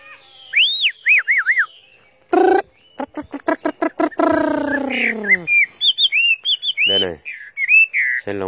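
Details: Tame caged Chinese hwamei, cage carried, sings loud looping whistles mixed with harsh buzzy rasps and fast ticking notes, then returns to short clear whistled phrases.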